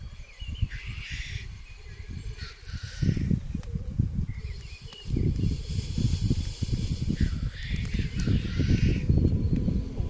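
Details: Black grouse lek in 2023, where males gather to fight and mate: breathy hissing sneezes at intervals over faint bubbling, largely masked by strong low rumbling wind.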